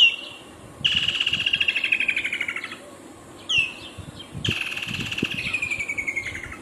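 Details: Two calls from a Woodland kingfisher, each a short piercing note followed by a long, rapid, descending trill lasting about two seconds.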